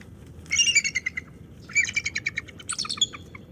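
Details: Female bald eagle at the NCTC nest, November 20, 2023, defending nest and territory alone against an intruding male floater: high, rapid chittering notes in three quick bursts, each a stuttering series, over steady low background rumble.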